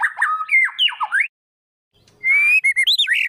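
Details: Magpie-robin kept for training after it stopped singing: clear whistled phrases sliding up and down, a short pause, then bright rising whistles and quick notes.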